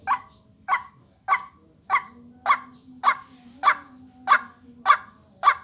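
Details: Ruak-ruak lure recording of a white-breasted waterhen: ten loud, nasal croaks repeated about every 0.6 seconds over a steady high whine and a faint low drone.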